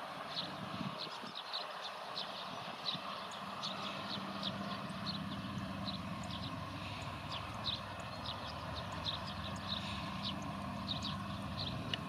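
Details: Rustic buntings in a reed bed in Nagareyama, Japan, 14 February 2020, give sharp, high ticking calls scattered irregularly from several birds over a steady low rumble of distant traffic or machinery; Rustic bunting.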